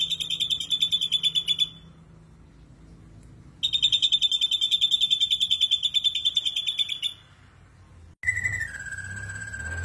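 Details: Ashy drongo singing in the rough 'tembakan' style: rapid, evenly pulsed high notes in two long bursts separated by a pause, then a shift to a lower steady tone near the end.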